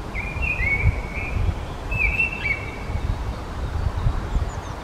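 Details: Mistle thrush (Turdus viscivorus) giving two dry, churring rattles, each about a second long, over a steady low rumble of wind.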